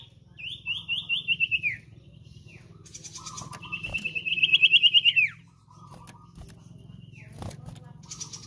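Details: Two fast wavering trills, each about a second and a half, separated by softer chattering notes, from a common iora in full song, offered as training and luring audio for cage birds; low mechanical hum throughout.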